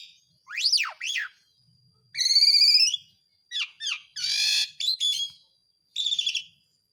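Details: Song of an Asian pied starling used as a lure for birds gone silent: sharp V-shaped whistles, a buzzy stacked note, quick slurred chirps and a harsh rasping burst, separated by short pauses.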